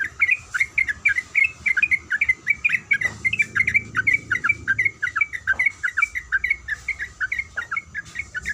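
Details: Female sooty-headed bulbul calling a male, delivering a long unbroken series of loud, squeaky kuik notes at a brisk even pace, with a continuous high insect-like whine and faint low background noise.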